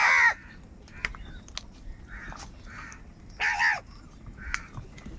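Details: Crows calling for food: a short harsh caw at the start and another loud rasping caw midway, with several softer, distant caws and clicks between.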